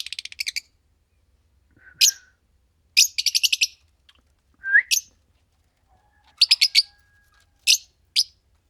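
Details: Green pair of Fischer's lovebirds chirping: short bursts of four to six fast shrill notes alternating with single sharp chirps and one brief falling whistle, with quiet gaps between.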